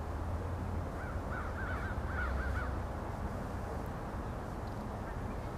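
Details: Canada geese flying over the Allegheny River at Olean, New York, at sunrise; faint, short honking calls in a quick cluster over roughly two seconds, set against a steady low rumble of background noise.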